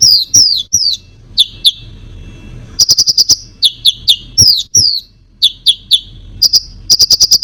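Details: Konin, singing to provoke other birds, gives falling whistled slurs at the start, then rapid rattling bursts of five or six crisp high notes alternating with single descending chirps.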